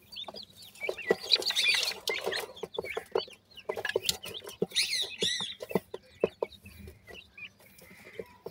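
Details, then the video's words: Grey francolin chicks, locally called bhura teetar, give thin, high cheeping calls that rise and fall, often in quick runs, over frequent sharp clicks and tapping sounds. "grey francolin bird wonderfull chicks,bhura teetar chicks hot voice"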